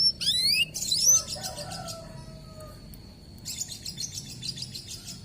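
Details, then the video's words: Local canary lure song: a brief loud burst of rapid high twittering and slurred notes, then a faint thin whistle and soft distant twitter. "PANCINGAN KENARI LOKAL GACOR"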